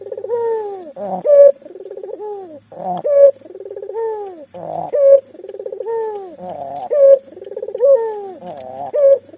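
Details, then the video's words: Persistent local spotted dove, a lure to make mute doves call; repeated pulsed coos with sliding tails and a sharp bright closing note, about five phrases in steady succession. "burung puter lokal gacor"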